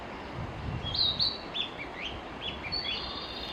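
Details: Singing Narcissus flycatcher: sharp high whistles, then several rising and falling slurred notes spaced about half a second apart, against a noisy hissing background with low thumps early on.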